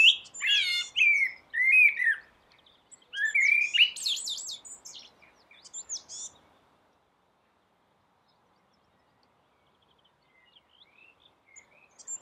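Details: Rooftop common blackbird at dawn delivering two loud bursts of song, warbled fluty notes mixed with sharp, high squeaky twitters, over roughly six seconds, followed by quiet with faint far-off chirps.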